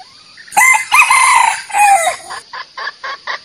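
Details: Male jungle fowl trapping lure: a loud, strained crow in several drawn-out rising and falling notes, followed by four short, softer clucks.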